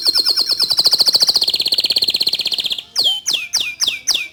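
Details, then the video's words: Song of a white local canary: a long, fast trill of short high notes lasting nearly three seconds, then a pause and several separated downward-sweeping whistles. "Kicau Kenari Lokal Warna Putih Suaranya Mantul"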